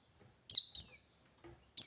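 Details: 'Ngalas 123' song of a wild white-eye seeking a rival: two quick, shrill, descending notes trailing off, then a third starting after a short silence, all very high-pitched and clean.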